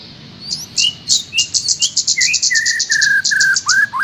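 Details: Master recording to teach a caged trocok garuda: dense rapid high chips in a steady run over low whistled notes that level off, then rise in short upward slurs.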